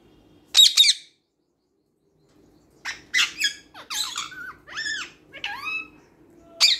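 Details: Pet green parrot indoors, talking and mimicking speech: a sharp harmonic squawk, a pause, then a run of short, voice-like syllables with bending, gliding tones and a final shrill note.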